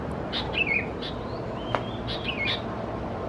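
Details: Juvenile Sooty-headed bulbuls (thais) at Khao Yoi, Phetchaburi, Thailand, June: a few quick chirps and slurred notes, one thin drawn-out whistle, and a sharp click midway, over faint background noise.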